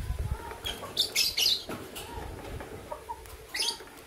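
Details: Green violin lovebird couple in the morning: shrill, harsh chirps in short bursts near one second and again at three and a half seconds, with soft clicks and rustling between.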